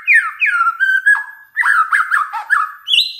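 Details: Oriental magpie-robin song used as a lure to get other magpie-robins singing: a sequence of slurred whistled notes, falling then rising, followed by quick chattering phrases and a final high note.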